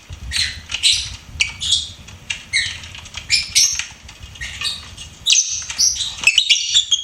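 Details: Pet lovebird chattering with many quick, high-pitched chirps and squeaks in a steady, uneven run, ending in a denser flurry of notes.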